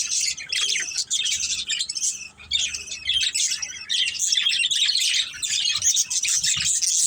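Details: Pet budgerigars in a family group chatter nonstop, a steady wash of high, gritty warbling and tweeting notes with occasional faint low background rumble.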